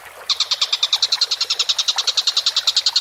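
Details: Collared kingfisher (tengkek buto) calling energetically: a short silence, then a fast, grating string of repeated notes, about seven per second, steady in pitch to the end.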